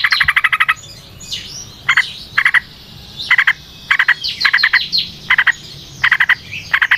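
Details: Yellow-vented bulbul recorded as a lure to get other bulbuls singing. Harsh, buzzy chattering bursts come in tight clusters of rapid pulses, repeated roughly every half second to second.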